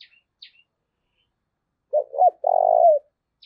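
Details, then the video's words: Spotted dove used as a lure for wild doves, giving one loud phrase of two short hoots and a long, drawn-out resonant coo, preceded by a couple of thin high chirps. "cu gáy// tieng cu gay thuc boi ve coi hiệu quả nhất"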